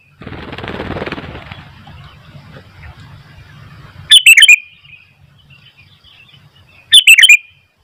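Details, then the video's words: Sooty-headed bulbul singing vigorously, with wild bulbuls nearby growing noisy; after a stretch of low rumbling noise come two short, loud, bubbly chirping phrases about three seconds apart. "Burung kutilang gacor ..sampai kutilang liar jadi ramai"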